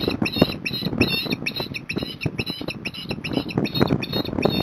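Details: Osprey returning with a fish at Port Lincoln, Australia, 26 January 2021; a long run of high, sharp, squealing chirps repeated several times a second, steady and insistent, with low rumbling and thumping underneath.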